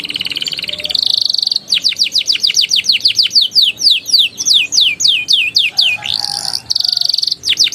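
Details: Canary lure song in ngeriwik-ngeroll style for training young birds to sing: a steady high buzzy note, then a long series of quick downslurred whistles, a brief harsh burst, and more rapid whistled notes.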